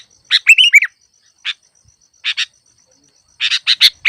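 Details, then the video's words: Sooty-headed bulbul calling as a trap lure, a liquid whistled phrase followed by sparse single chirps and a closing burst of rapid chattering notes. "Masteran burung KUTILANG cocok untuk pikat yang malas bunyi"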